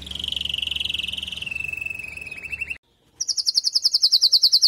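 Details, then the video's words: Female canary calling to stimulate the male after moulting, giving a long buzzy roll that drops slightly in pitch and fades, a short silence, then a fast, bright high trill. "نداء انثى الكناري لتجهيز وتحفيز ذكر الكناري بعد غيار الريش"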